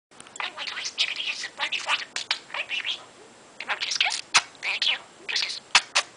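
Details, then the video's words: Pet parrot, 22 months old, chattering while playing in its play area indoors: rapid bursts of squeaky, speech-like syllables and clicks, tumbling one after another with brief pauses, sharp scratchy ticks between phrases. "Talking a mile a minute and playing"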